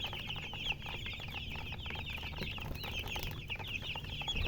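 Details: Many baby chicks peep together in a busy flock chorus. The short, high chirps overlap constantly against a low background hum.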